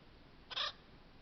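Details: An Acorn woodpecker drinking at a stump water hole gives a single harsh, nasal, raspy note about a fifth of a second long, against a quiet background hiss.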